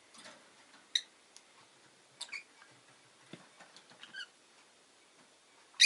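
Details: Pet rosy-faced lovebird making thin, shrill chirps and squeaky notes at irregular intervals over a light background hiss, with a loud shriek at the very end.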